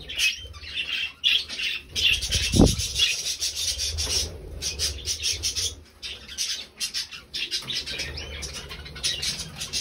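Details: Three budgerigars recorded 20 November 2020 chattering in scratchy chirps and rasping runs, broken by a single dull thump early on and a short quiet gap midway.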